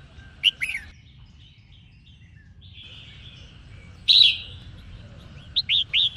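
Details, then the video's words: Female red-whiskered bulbul sings to rouse males: a couple of quick chirps, a long pause with a faint drawn-out tone, then a loud burst followed by three short, rapid, upslurred notes. "Chim Chào Mào Mái Hót Kích Trống Gây Nghiện Cho Trống"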